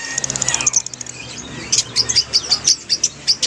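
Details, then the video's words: Lovebirds in a group chorus, played to lure a quiet lovebird into singing: rapid, very high, sharp chirps, first as a fast trill, then as spaced bright notes about every fifth of a second. "SUARA LOVEBIRD OMBYOKAN - PANCINGAN LOVEBIRD MACET BUNYI"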